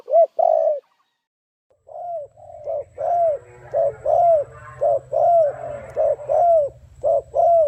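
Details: Spotted dove 'gù' cooing: two full coos, a short pause, then a fast series of arched, slightly falling coos over a steady low mechanical hum.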